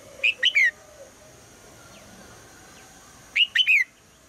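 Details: Red-whiskered bulbul female giving her morning call to prompt the male's song: two lively three-note whistled phrases, ending in a falling slur, separated by about three seconds of quiet hiss.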